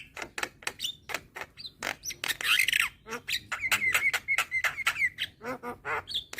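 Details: Young white-eyed Javan myna, already calling keenly with head bobs to lure hybrid mynas; dense run of clicking, rasping notes, a loud harsh burst midway and a long steady whistle in the second half.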